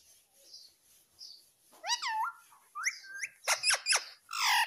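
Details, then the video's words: Talking green Indian ringneck parakeet gives a swooping harmonic syllable, then a squeaky rising phrase and a run of sharp clicks ending in a bright squawk, all indoors at close range. "Natural Sound of Talking Ringneck green parrot"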